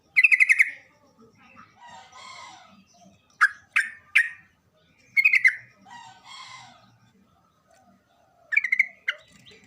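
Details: Sooty-headed bulbul singing lustily as a lure for quiet birds. Short rattling bursts of harsh notes repeat every few seconds, mixed with sharp single calls and softer scratchy twittering.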